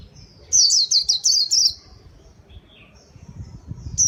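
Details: Brief burst of white-eye song for luring birds: about a second of fast, high, falling chirps, then near silence before another chirp begins.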